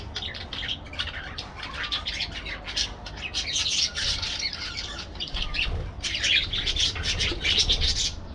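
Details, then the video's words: Parakeets in an aviary, many birds squawking and chattering at once: a dense, harsh, continuous wash of shrill calls with brief louder bursts and a low rumble underneath. "parakeet sounds"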